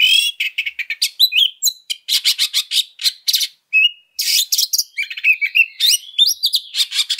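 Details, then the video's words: Fighting oriental magpie-robin used as a lure: loud harsh rattles and dense scratchy chatter mixed with brief whistled slurs, delivered in rapid, forceful runs with a couple of short pauses. "Suara Pancingan Kacer Super NGOTOT Gacor Tarung Full Isian Kasar 100% ON DOR !"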